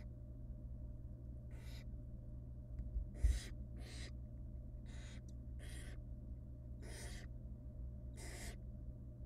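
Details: Wild barn owl chicks hiss repeatedly while the female parent feeds them rabbit in their nest box: about eight breathy, screeching bursts in uneven succession, with a bump of handling noise partway through and a low hum.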